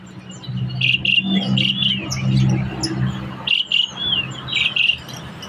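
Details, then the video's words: Black-collared starling in vigorous song: bright, squeaky whistled phrases and chirps in short bursts, with a steady low humming drone underneath through the first half. "jalak suren gacor dor"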